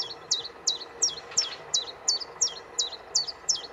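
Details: On Aylesbeare Common, 16 June 2020, a common chiffchaff repeats crisp, high, two-pitched notes at a brisk even rhythm of roughly three per second, with quiet ambient hiss.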